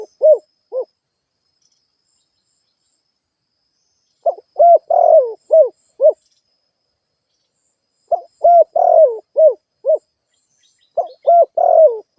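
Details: Cooing of a spotted dove kept as a lure bird to provoke other doves: repeated phrases of soft, low hooted notes, a drawn-out slurred coo then two or three short ones, returning about every four seconds over near silence.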